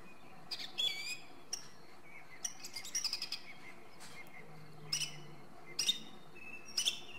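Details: Song thrush song of varied high phrases, sharp clipped notes and trills repeated in short groups, separated by brief pauses, over a low steady hum.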